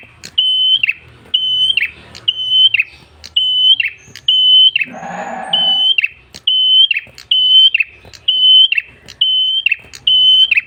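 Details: Red-headed tailorbird singing actively, a recording for luring and training other birds: a steady, high, flat whistled note ending in a dropping buzzy flourish, repeated about once per second, with a brief broad rustling noise midway.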